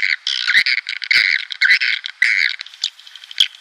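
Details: Swiftlet lure sound, the 2019 Klimax style, played to draw breeding swiftlet colonies into a nest house: dense buzzy chirps in two bands, mid and high, bursting in rough runs with short gaps.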